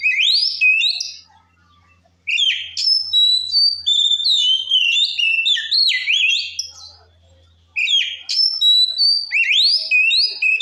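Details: White-rumped shama, a singing bird in full voice, used to provoke other shamas: rich whistled phrases with rapid rising and falling slurs and sharp upswept notes, in bursts separated by a short pause, high and clear with no other sounds.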